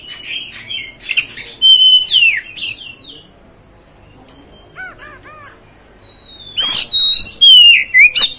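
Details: Oriental magpie-robin song used to provoke and fire up another magpie-robin: loud whistled notes gliding down, mixed with harsh scratchy bursts, then a quiet pause with soft ringing notes before a fresh loud burst of whistles and rasps.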